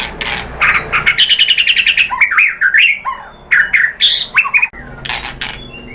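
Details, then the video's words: A white-rumped shama delivers a varied lure song intended to make other birds answer. A quick series of sharp repeated notes flows into looping whistled slurs and chattering phrases, loud and continuous with brief gaps. "KICAUAN MURAI BATU bikin NYAUT ikut BUNYI GACOR NGEPLONG BONGKAR ISIAN ¦ PANCINGAN MURAI"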